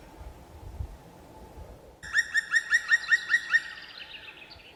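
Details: A male black woodpecker (Dryocopus martius) in a forest of the Sueve range, Asturias, Spain, gives a quick series of about eight loud, ringing, upslurred 'kwee' notes, around five per second, after quiet background hiss; no drumming heard.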